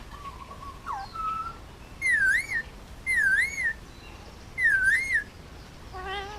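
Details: Hand-raised male Indian ringneck parakeet, almost two years old, at home on Oahu, Hawaii, whistling: a flat tone, then three identical wavy up-and-down whistles about a second apart, ending in a stacked harmonic squawk.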